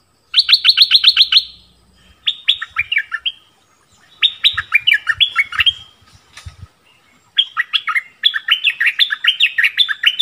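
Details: Orange-bellied flowerpecker gives bursts of thin, high, sharp chips, each a rapid string of descending notes, repeated with short pauses; faint low thumps underneath. Recording used as a lure call for wild birds and to train young birds.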